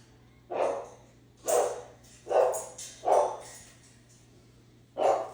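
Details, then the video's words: A parrot imitating a dog gives five short, husky, dog-like barks, about one a second with a pause before the last, over a faint steady hum. "Barking birdie! Can your parrot bark?"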